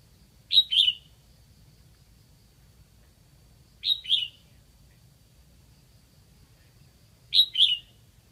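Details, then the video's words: Red-whiskered bulbul decoy from Lạng Sơn, calling to draw in wild birds; short two-note whistled bursts, sharp and slurred, repeated about every three and a half seconds against a quiet background. "Mào mồi gáy kiểu này liệu có gọi được bổi không đây?"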